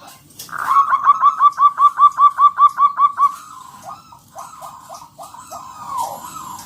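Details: Wild local zebra dove singing loudly to draw other doves into song; a steady train of about a dozen sharp staccato notes, then softer, looser notes trailing off.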